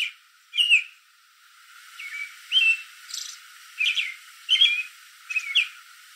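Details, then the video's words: American robin in a backyard tree late in the evening, calling to robins in the area: soft whistled phrases with gaps, over a faint hiss of background noise. "American Robin Evening Call"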